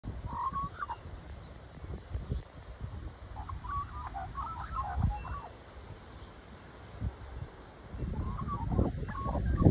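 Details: A big magpie climbing a tree stump on a very windy day sings short bursts of mellow, warbling notes in three spells against strong, rumbling gusts of wind.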